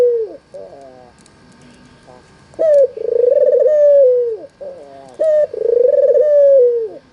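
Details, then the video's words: Lure call of a white albino Barbary dove with red eyes: after a falling note and quiet gap, two loud coos, each a sharp short note then a sustained, vibrating purr curving downward. "suara burung puter putih mata merah"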